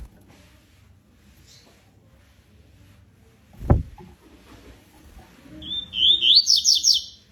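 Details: Double-collared seedeater giving a short high warbled song of rapid varied chirping notes near the end, after a single low thump and quiet background rumble.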